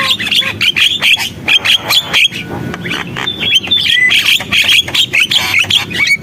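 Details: Javan myna singing energetically, a busy jumble of rasping chatter, clicks and short whistled notes poured out rapidly and continuously, the notes varied and irregular in rhythm.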